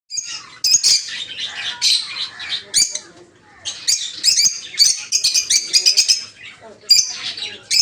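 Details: Peach-faced (rosy-faced) lovebirds kept for breeding in an aviary, including red-headed green opaline, red-faced dark green, blue rosy and lutino birds, giving dense shrill, high chirps in overlapping bursts with a brief lull mid-recording.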